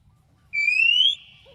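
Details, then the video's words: Oriental magpie-robin, locally kacer, singing to draw an answer from another bird: one sustained, clear whistle sweeping upward, ending abruptly, then a soft low note. "SUARA BURUNG KACER TOKCER MEMANGGIL LAWAN NYAUT"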